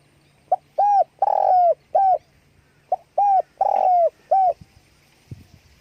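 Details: Spotted dove calling with wing flapping: a phrase of short and longer hoarse coos, a brief lead-in note then level, slightly falling hoots, given twice in quick succession, with a soft clatter near the end.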